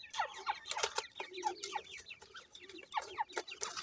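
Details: Captive desi Irani teetar (francolin) chicks give quick, clear, falling peeps, several per second, mixed with sharp tapping and scratching clicks.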